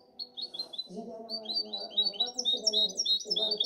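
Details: Goldfinch hybrid singing in 2019–2020, a rapid run of high, thin twittering notes and chirps, with a man speaking Spanish at a low level throughout.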